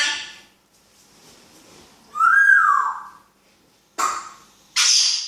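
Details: Talking African grey parrot indoors giving a loud, clear whistle that rises, then falls and drops away, followed by two short, harsh, noisy bursts.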